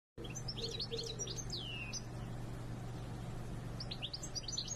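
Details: European goldfinch singing: quick, bright, twittering high notes and one long falling whistle, in two bursts over a steady low hum and background noise.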